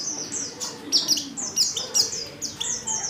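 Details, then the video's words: White-eye female in heat calling for a male: brief, high, sliding chirps repeated quickly in a short sequence, over a noticeable low hum. "Pleci | betina | Birahi Memanggil jantan"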